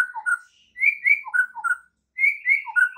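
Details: White-rumped shama, morning training song to prompt other shamas; short bursts of bright whistled notes, each phrase a quick sequence of rising and falling slurs separated by brief silences.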